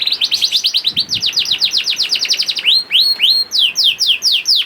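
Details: Young canary (kenari paud) singing to stimulate other canaries: dense series of rapid descending chirps, about four per second, shifting to slower rising whistled sweeps near the end.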